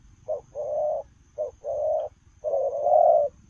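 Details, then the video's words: Running spotted dove coos in the 'lèo rồng' style. Three phrases, each a short soft note then a longer steady coo, the last phrase swelling louder. "Gù Lèo rồng vừa chạy vừa gù"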